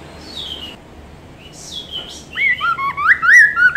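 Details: Chinese hwamei song for training songbirds: thin descending whistles and a high, drawn-out note, then a rapid, loud run of varied rising whistled phrases.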